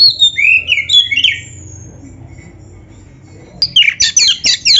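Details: Oriental magpie-robin (kacer) singing vigorously in the gacor isian style, played to provoke other kacer to answer: loud varied whistled and slurred phrases, a quiet gap of about two seconds, then a burst of fast, sharp high notes.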